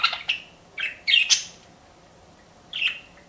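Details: Pet budgie giving a few separate squeaky chirps and a short warbled burst, spaced by quiet pauses, the last chirp arriving after nearly two seconds of silence.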